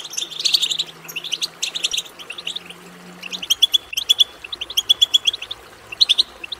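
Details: European goldfinch twittering song for prompting other goldfinches to sing. Thick chirping bursts give way to separate clear whistled notes in short groups of three or four, with a low hum in the first half.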